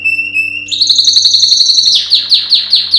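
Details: Male yellow canary in a canary training song: clear whistled notes lead into a very fast high rattling trill, then a string of loud descending swept chirps repeated about every quarter second.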